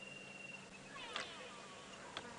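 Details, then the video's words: Grey go-away-bird calling far off with a faint, nasal, drawn-out wavering, almost cat-like cry over soft hiss and a few sharp clicks, heard on a very hot April 1 afternoon on a sunset safari drive near elephants. "Yeah, the grey go-away bird again in the distance."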